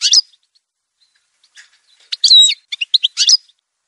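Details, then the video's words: Brief Algerian goldfinch phrase, parva form: a sharp opening chip, a pause, then a quick run of high tinkling notes and a short nasal whistle. "chant chardonneret montage"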